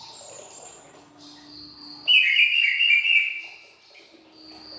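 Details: Greater green leafbird delivering one loud, fast chattering whistled burst lasting about a second, amid quieter steady high tones before and after.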